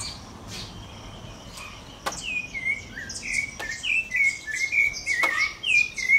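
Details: A rufous-bellied thrush sings freely in a backyard: a lively run of short, slurred whistled notes at a quick pace, with a few sharp clicks and a faint steady tone behind.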